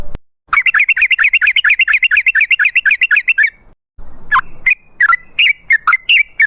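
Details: Yellow-vented bulbul 'ropel' song, offered as a lure to trigger bulbuls into singing: a three-second run of fast, repeated, bubbly notes, then scattered sharp, slurred calls.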